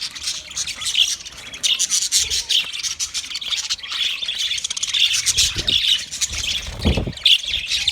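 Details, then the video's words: Budgie flock chirping for a lone bird: continuous bright twittering and warbled squeaks, interrupted by a couple of low rustling thuds late on. "Budgies chirping sounds for lonely bird"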